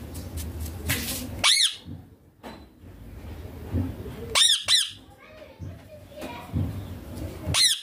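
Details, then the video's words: Baby rose-ringed parakeet giving harsh, high squawks in short bursts about every three seconds, indoors, with quieter rustling and low room noise between calls. "Baby ringneck parrot natural sounds papa mummy"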